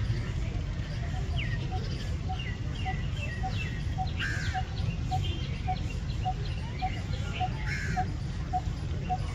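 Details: Coppersmith barbet, also called crimson-breasted barbet, giving its metronomic call likened to a coppersmith hammering metal: a long steady series of hollow, even tuk notes, about three per second, over loud low rumbling noise with scattered chirps of other birds.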